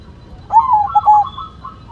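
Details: White zebra dove in full song: a short, loud cooing phrase of mellow, slightly descending notes, broken into a quick run of hollow coos, over a low background hum.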